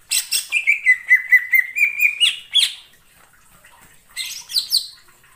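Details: Greater green leafbird calling in wild forest: a fast rattling series of about a dozen short notes that climbs slightly in pitch, a pause, then a couple of shrill sweeping chirps.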